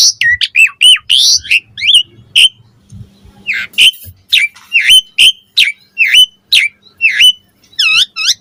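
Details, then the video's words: Song of an Asian pied starling, used to prompt other starlings to reply and sing: bright rising and falling whistled notes spaced roughly half a second apart, with a few scratchy buzzes and brief chatter near the start. "Suara Jalak Suren Bakal Langsung NYAUT Buat Masteran & Pancingan Burung Jalak Agar Gacor Full Isian"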